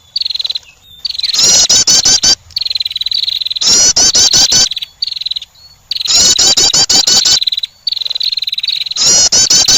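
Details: A female wren, said to be calling to attract, gives a thin, high whistled note, then bursts into a loud, rapid, rattling trill; the phrase repeats roughly every two to three seconds.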